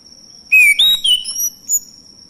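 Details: Male orange-headed thrush singing to draw other birds into song: a short phrase of loud clear whistles, a downslurred note followed by higher chirps and a thin final note, over a steady high whine.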